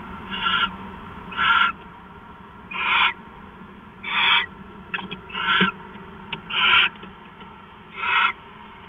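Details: A pair of owls at their nest at 5:43 on an early September 4, 2013 morning, arriving for pair bonding. Eight breathy, hissing bursts of about half a second each come roughly every second, with a few soft clicks between them.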